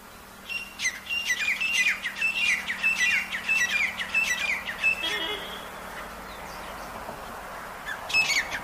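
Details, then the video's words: A wild partridge in jungle surroundings calls in a long series of harsh, ringing notes about a second apart for five seconds, then a quieter pause with faint background hiss before another burst resumes. "jangli teetar ki awaaz"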